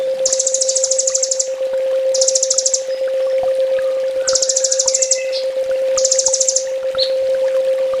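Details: Kolibri ninja sunbird in a full tembak master song: four dense bursts of very rapid, high, shimmering trills, each about a second long, separated by short pauses, with a steady low hum.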